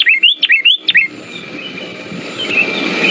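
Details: Sooty-headed bulbul song used as a lure to stimulate silent bulbuls: a quick series of about five clear, bubbly whistled notes that rise and dip, then fading background hiss.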